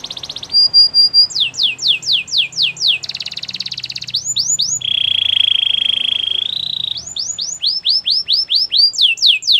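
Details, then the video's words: Canary song: rapid trills of descending whistled notes in repeated tours, a buzzy rattling trill, a long steady whistle near the middle, then more falling-note trills, about two per second. "Canary singing birds sounds at its best"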